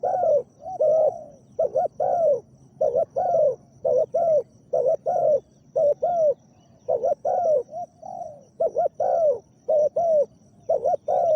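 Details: Long series of deep coos from a big-voiced spotted dove used as a decoy for a wild dove; short paired hoots and drawn-out descending notes alternate in a steady, continuous rhythm.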